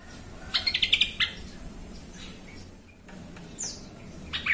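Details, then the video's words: Yellow-vented bulbul song played as a lure to make other bulbuls agitated and sing: a quick bubbly burst of about six bright chirps, a softer trailing note, then a thin high squeak and faint chirps over low background rumble. "TRUCUKAN EMOSI BONGKAR ISIAN❗BIKIN TRUCUK LAIN SEKALI DENGAR AUTO KOAR KOAR❗"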